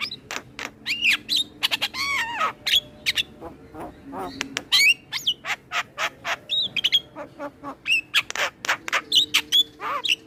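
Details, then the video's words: Male Asian pied starling delivering a full, varied training song for other starlings: dense stream of clicks, whistled upslurs and downslurs, nasal wavering notes and harsh chatter with barely a pause. "Kicauan Jalak kebo Jantan Full Isian Pas Untuk Masteran Semua Jenis Burung jalak"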